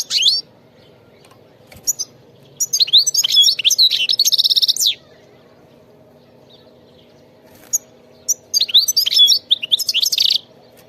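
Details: Wild European goldfinch singing: a quick twittering burst at the start, then two long bright bursts of rapid, tinkling, buzzy notes and trills separated by a quiet pause, with a faint low steady hum beneath.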